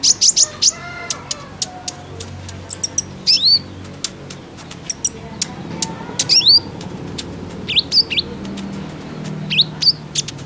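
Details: Calls of a female sunbird (kolibri ninja), used to stir males to sing: quick, high, down-slurred chirps in short bursts with sharp ticking notes between them.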